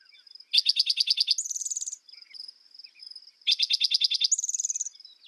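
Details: Spotted towhee giving its song twice, each a rapid, loud trill of sharp repeated notes ending in a higher buzzy rattle, about three seconds apart, with a constant high-pitched insect drone and faint chirps between.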